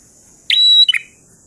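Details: Prinia singing in the lively ngalun style: one phrase opening with a sharp high note, holding a long level piercing whistle, then ending in quick lower dropping notes, over a steady high hiss.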